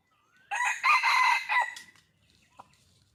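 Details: Wild red junglefowl calling for a male: one loud, harsh, crowing-like burst lasting about one and a half seconds, then near silence with a faint click.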